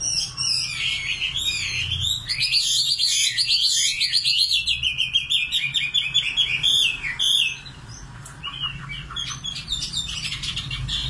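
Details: Common nightingale in song: loud, fluid runs of twisting whistled and buzzy notes for about seven seconds, then a softer, more scattered passage of short chips.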